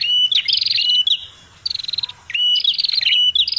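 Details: Red-headed prinia calling noisily, a lure recording for catching birds: bursts of shrill, buzzy whistles broken by a short quiet gap, then resuming with hooked high notes.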